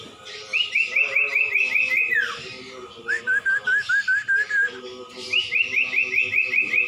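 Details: Common iora (cumpon/sirtu) singing a masteran recording. A high series of rapid chirpy whistles ends in a falling slur, then comes a lower run of clipped upslurred notes, and the high series returns at the end.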